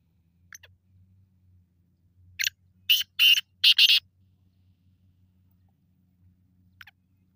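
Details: Black francolin call with four harsh, scratchy notes in a quick rhythmic series mid-recording, framed by faint single notes near the start and end and quiet low background hum.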